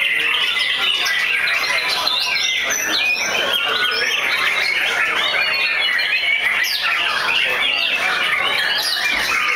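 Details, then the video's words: White-rumped shamas at a singing competition at Bishan, 23 April 2011: a dense, continuous chorus of overlapping whistled and warbled phrases, rising and falling notes crowding together with no pause and steady loudness throughout. "Shama singing competition at Bishan 2 -23April2011"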